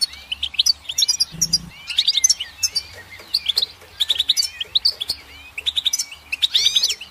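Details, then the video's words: Goldfinch song full of rippling, tinkling chirps and curling slurred notes in quick succession. A short low buzz sounds briefly early on. "Goldfinch Song"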